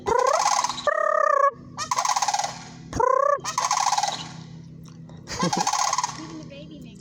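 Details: Sandhill cranes give loud rattling, trumpeting bugles in overlapping bursts, with clearer rising notes mixed in, calls coming roughly every second or two over a constant low background hum.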